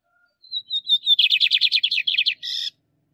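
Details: One complete song from a caged male Lined seedeater, used to train birds: a high whistled lead-in sliding into about a dozen quick, buzzy repeated notes and a final harsh rasp.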